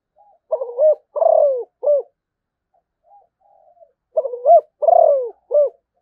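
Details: Malaysian spotted dove singing two identical three-note cooing phrases about three seconds apart, each a stuttering opening coo, a drawn-out rolling coo and a clipped closing note, with soft faint coos in the pause.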